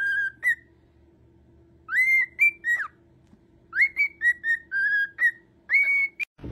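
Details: A white-faced cockatiel whistles a melodic tune of clear, sliding notes in short rising and falling phrases.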